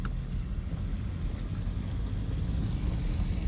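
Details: Low, gusty wind or boat rumble dominates throughout, with no animal voices.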